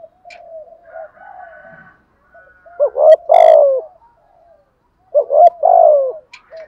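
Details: Spotted dove giving the thúc gù driving coo, meant to stir decoy doves: two loud, low phrases of short hooting notes and a long descending coo, three seconds apart, with soft murmured coos and faint chirps between.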